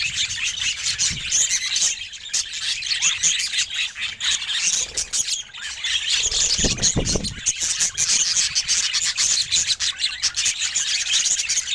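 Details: Budgerigar said to look happy today; long run of harsh squawky chatter and rapid chirps, dense and unbroken, with a short low rumble in the middle.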